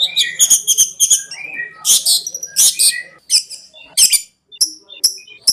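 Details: Long-tailed shrike master song for training, in the konslet style: scratchy chattered phrases mixed with brief whistles and sharp, explosive rasps, varied and irregular.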